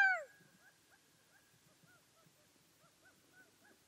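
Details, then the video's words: Gambel's quail of the southwestern deserts: a loud call is cut off at the start, then a string of faint, soft, clucking and mewing notes follows at irregular intervals. "Gambel's Quail Nature Sound Effects"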